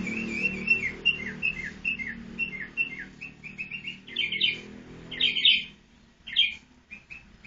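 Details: A pet sooty-headed bulbul, tame after four months and noisy all day, gives quick, clear whistled notes that slur downward, then louder, harsher chattering bursts over a faint low hum.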